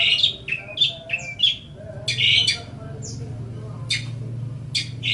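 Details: Training recording for songbirds: a long-tailed shrike gives a jumbled phrase of short whistles, harsh buzzy notes and high chips, then scattered sharp notes, over a low droning background.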